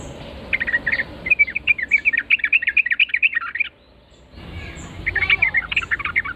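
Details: Yellow-vented bulbul singing loudly in reply to a lure call: fast bubbly, warbling phrases of rapid chirps, a brief near-silent gap around four seconds, then another lively burst of chattering notes.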